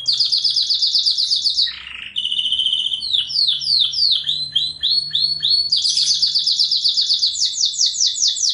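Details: Canary master song for training juvenile canaries to sing loud: fast repeated notes, a harsh low buzz, a string of sweeping slurs, then long rapid rattling trills.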